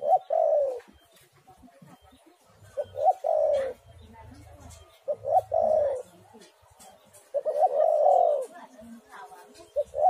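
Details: Spotted dove used as a lure to prompt another dove to sing: soft, low cooing phrases in bursts about every two to three seconds, each a few rolling hoots, with faint chirps of other birds in the background.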